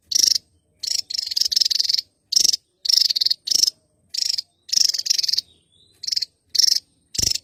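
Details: Javan tesia, endemic to Java, in lively song: rapid series of loud, rasping, high chattering bursts, some run together, with brief pauses between them.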